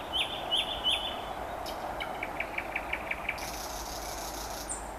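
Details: Common nightingale song on a May evening at Vyazniki. Three bright, piping notes are followed by a quick series of repeated clicking pulses, then a thin high whistle, against constant low background noise.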